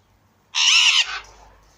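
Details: Recessive pied Alexandrine parakeet pair: one loud, harsh, rasping squawk lasting about half a second, then a brief fading tail, with quiet background before and after.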